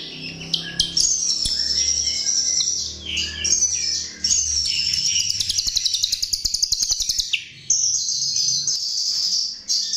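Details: Chestnut-tailed starling lure song: varied high warbling and buzzy trills with sharp clicks, then a rapid, evenly spaced ticking rattle under a shimmering buzz, ending in further bright high warbles.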